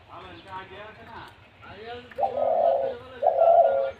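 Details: Spotted dove giving two low, hoarse, drawn-out coos in quick succession, each nearly a second long, following a stretch of people talking.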